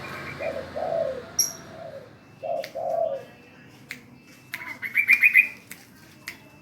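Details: Spotted dove trained to call when told, giving soft, low coos in two short runs. Higher chirping notes from another bird and sharp clicks follow.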